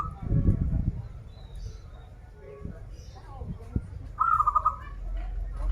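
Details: Zebra dove of a local Banten line, a keen singer of krital and warung kebek styles, gives a brief bubbling trill of quick coos late in the recording, after low speech and thumps at the start.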